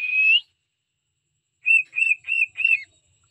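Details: Cockatiel song from pet birds: the tail of a sustained whistle, a short silence, then four quick high whistled notes, the last slightly wavering.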